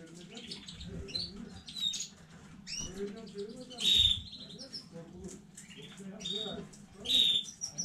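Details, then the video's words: Canary from a new breeding batch, recorded 15 May 2019, giving short bright chirped phrases about every three seconds over a low steady room hum. "KANARYA ÖTÜŞÜ YENİ ÜRETİM HANEDEN 15.05.2019 CANARY SINGING"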